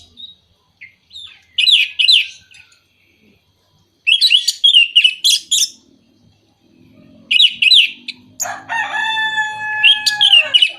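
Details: Orange-headed thrush song meant to trigger singing in moulting or reluctant birds: three separate bursts of quick, scratchy, warbled notes divided by short silences, ending with a long, full-toned note beneath continued chatter.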